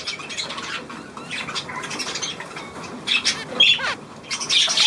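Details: Budgerigars chattering: soft scratchy warbling that swells into louder squawks and wavering chirps toward the end.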